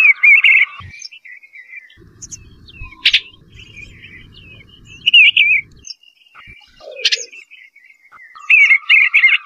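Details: Eastern bluebird singing soft, warbled phrases of rising and falling notes, in short bursts about every two to three seconds, with sharp clicks and low rumbling noise between phrases.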